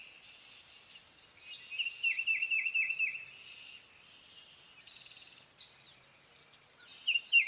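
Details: Tufted titmouse giving one phrase of about six quick whistled downslurred notes amid a busy chorus of other birds' thin high chirps and trills, with a further whistled burst near the end.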